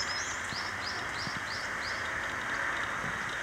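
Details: Black-winged stilt at Okinawa, Japan, on 5 May 2009, giving a run of five sharp, high yapping notes, about three per second, over a steady rushing background like distant traffic.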